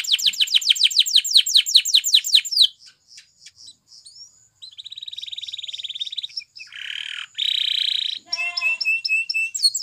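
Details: Spanish Timbrado canary singing to train other canaries: a rapid descending trill, scattered soft notes, then buzzy metallic rolls and a tonal stuttering phrase.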